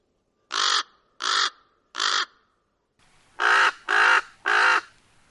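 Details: Common raven with three harsh caws, a short break, then three louder, fuller croaking caws in quicker succession against a faint hiss.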